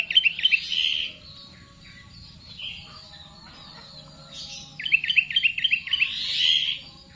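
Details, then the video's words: Sooty-headed bulbul, a kept bird, singing in the style its keepers call full Garuda: rapid high chirping trills in two bursts, around one second and again near five to six seconds, with quieter twittering between and a faint low hum. "Burung Kutilang full GARUDA"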